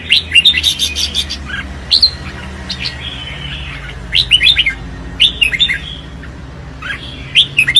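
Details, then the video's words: Red-whiskered bulbul singing competitively, loud bursts of bright whistled and warbled phrases between two and five kilohertz, separated by short pauses, over a low steady background hum. "Tiếng chim Chào Mào | The sound of Pycnonotus jocosus"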